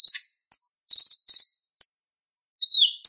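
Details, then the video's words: Konin, the purple-throated sunbird, in a tutoring recording for other songbirds. Separate high twittering phrases come about every half second. The clip ends on a clear descending slurred whistle. "Suara Ocehan Konin Gacor Tajam Ampuh Buat Masteran Kolibri Ninja | Purple-throated sunbird"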